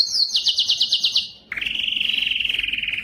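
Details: Yellow canary giving a series of fast descending pulsed notes. After a short pause comes a steady, rapidly beating trill.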